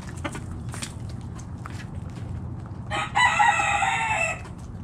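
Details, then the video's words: Morning foraging in a backyard flock: a few faint clucks and scratches, then a rooster breaks in with a strong, harmonic crow of just over a second near the end, with low background hum throughout. "Back Yard Chicken Flock Foraging In The Morning!"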